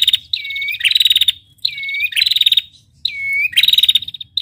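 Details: Female prinia trilling in the 'ngetirr' style, each phrase a falling whistled slur followed by a fast, high, rattling run of pulses, three phrases in quick succession.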